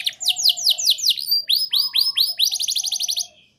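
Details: Canary song used as a lure and master recording to prompt young canaries to sing: rapid series of high downward-sweeping chirps, then faster repeated rising notes, bright and continuous, with a soft low tone underneath.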